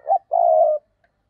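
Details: Spotted dove used as a decoy to draw in other doves gives a brief low hoot and then one sustained, slightly wavering coo lasting about half a second.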